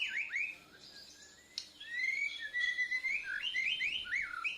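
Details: Bornean white-rumped shama, a young bird practising its song, giving swooping whistled phrases and quick rising notes over a steady low hum indoors.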